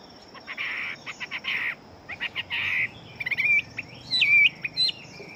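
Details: Fighting-type Chinese hwamei with a large build. Harsh, buzzy rasping notes are interspersed with short ticks, then give way to a few quieter, twisting whistles near the end, all over a faint background hum.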